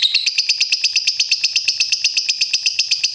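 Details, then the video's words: A pair of caged pet lovebirds play and show affection while giving an unbroken run of sharp, high chirps, evenly spaced at roughly three per second. "Lovebird Singing & Chirping Sound"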